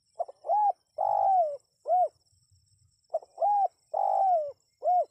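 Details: A spotted dove's call, meant for drawing wild birds to reply: two matching phrases, each a quick stuttered note, a smooth coo, a long throaty purring coo falling at its tail, and a closing short coo, separated by about a second of silence.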